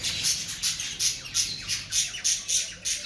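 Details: Breeding-season cockatiels giving quick, evenly spaced harsh squawks, roughly three per second, bright and grating.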